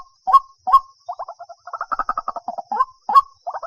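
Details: Two sharp upswept White-breasted waterhen calls followed by rapid chattering clusters of notes and further rising calls in quick, uneven succession.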